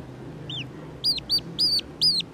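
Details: Black-bellied whistling duck chick found at the roadside around half past six in the evening gives distress calls: five loud, high, arched whistles, one faint note first, then four strong calls in quick succession with short gaps.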